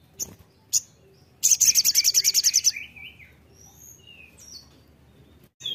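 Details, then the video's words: Crimson sunbird in energetic song. A few sharp chips lead into a fast, high, buzzy trill of about a dozen pulses, followed by faint thin whistles that slide downward. "Sogon gacor NGAMUK"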